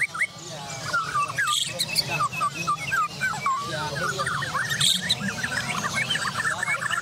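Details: Several Borneo-type White-rumped shamas (murai batu) sing at once in a bird-song competition's Borneo class, a rapid tumble of rich whistles, slurs and chattering notes, over a low hum and murmuring voices.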